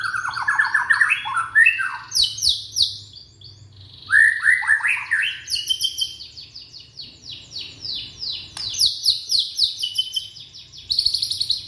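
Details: Young white-rumped shama from Indonesia, used as a lure to get silent shamas singing: a varied, fast song of whistled slurred phrases, rising and falling, with bursts of high sharp notes and short pauses between bouts.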